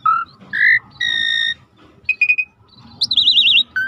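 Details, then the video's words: Starling training recording with river sounds: long level whistles, a short trill, then a wavering high warbled whistle and a final clear note over a soft rushing background. "Jalak Langka Masteran Alam Sungai | Deep Nature River Sound for Starling"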